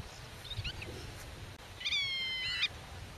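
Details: Black-tailed godwit defending its nest and territory against intruders while talking with young hidden in the grass; a soft faint call, then one drawn-out nasal harmonic call falling slightly in pitch over about a second, with low rumbling background.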